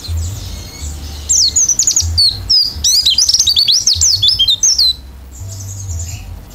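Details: Oriental white-eye singing hard, open-beaked, in 'gacor isian' style, a fast jumble of shrill, high twittering notes and quick up-and-down sweeps, quieter at the start and end, with a low hum beneath.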